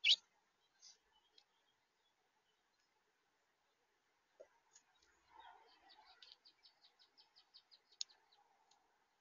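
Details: A house finch visiting a camera is quiet at first with a few sharp chirps, then gives a quick run of about ten high, thin cheeping notes over faint background noise.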